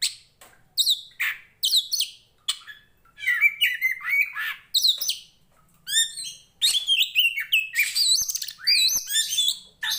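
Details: Oriental magpie-robin of the poci type from Tretes, a fighting, loud-singing bird whose song is used to train the mettle of other magpie-robins: rapid varied phrases of whistled and scratchy notes, bursts every second or so, high-pitched, no other sounds.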